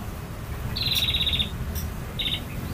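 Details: A male bar-winged prinia, part of a long varied song, gives a fainter, rapid buzzy trill lasting about half a second, then a shorter trill, over a low background hum.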